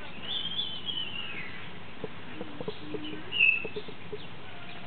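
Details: A Common Hill Myna at Opole Zoo, Poland, gives a long, slightly falling whistle, then a short bright note a few seconds later, over soft knocks and background murmur.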